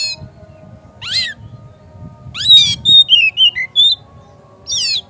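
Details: Oriental magpie-robin lure song meant to provoke a rival into singing and fanning its tail: harsh rising sweeps followed by a quick string of clear, slurred whistles, ending in another rasping burst.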